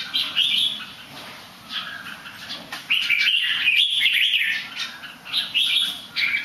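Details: Singing bird that tumbles over a little: warbled, slightly buzzy phrases in quick bursts with short pauses, some notes drawn out and wavering, against a constant low background hum.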